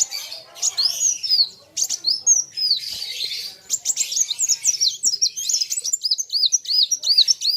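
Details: Kolibri wulung sunbird singing hard against a loud rival. Jumbled high twitters give way to a fast series of repeated arched chirps, about two or three per second, shrill and ringing.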